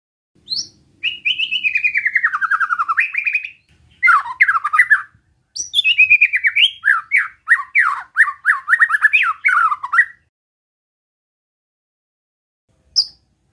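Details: White-rumped shama in besetan style, sung to provoke rival shamas: a long, gliding warble that falls in pitch, then stuttering bursts of rapid, rattling notes repeated over several seconds before one last short chip.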